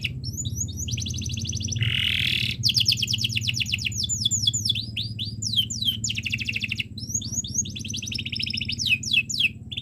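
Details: Young canaries' tutor recording of canary song in long chirping phrases: fine trills, buzzy rattle and repeated falling notes, accompanied throughout by a constant low droning hum.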